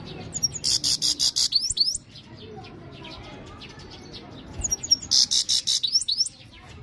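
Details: European goldfinch singing loudly in full song: two bursts, each nearly two seconds long, of fast, ringing, high-pitched pulsed notes ending in sharp upswept twitters, separated by a quiet pause with faint background hiss.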